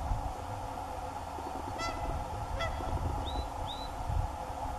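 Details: Whooper swan calling with two short, trumpeting honks less than a second apart, followed by two thin rising whistled notes, against a constant hum and low rumble.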